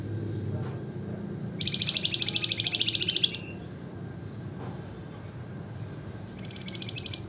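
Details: Javan fulvetta, known as flamboyan or wergan jawa, giving a single loud, fast, evenly pulsed high trill of about one and a half seconds, then quieter with a faint short trill near the end, over low background rumble.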